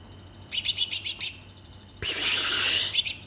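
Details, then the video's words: Caged magpie-robin left by itself with just feed during the homecoming trip, singing frenziedly: six quick high piercing notes in a row, a brief pause, a harsh broad rasping burst, then two more sharp notes. "di tinggal mudik hanya pakan vour malah menggila"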